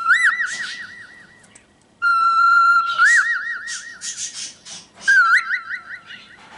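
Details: Pet cockatiel whistling a tune: steady clear tones broken by rapid warbling wavers, pauses, and a pure held note, mixed with soft scratchy chatter between phrases.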